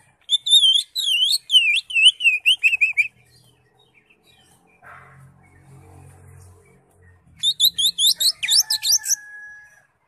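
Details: Green leafbird singing vigorously, used to encourage a caged leafbird that has stopped singing. Bright looping whistles form rapid up-and-down phrases for three seconds, then a quiet pause with soft low rumbling, then another burst of sharp, varied whistled notes.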